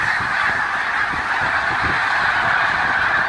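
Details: A massive winter flock of Snow Geese in Montgomery County, Pennsylvania, recorded February 23, 2019, pours out continuous high, nasal honking, countless voices blending into one loud roar.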